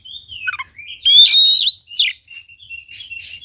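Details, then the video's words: Energetic Oriental magpie-robin song, used to coax a quiet bird into singing. Soft descending whistles lead into a loud, bright phrase of ringing, slurred notes, then a trailing run of quieter high twitters. "KACER GACOR||PACINGAN &MASTERAN KACER MALES BUNYI"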